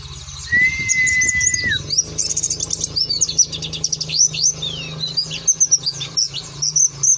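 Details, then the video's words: Oriental white-eye in soft ngeriwik song with 'nembak' bursts: a steady whistled tone falling at its end for over a second, then very high scattered chirps, sweeping notes and short twittered runs over a low background hum. "burung pleci ngeriwik ikutan nembak"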